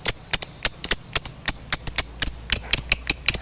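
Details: Lovebird 'ngekek' chattering used to rile other lovebirds into answering: thin, bright ticking chips repeated in quick uneven pairs and triplets.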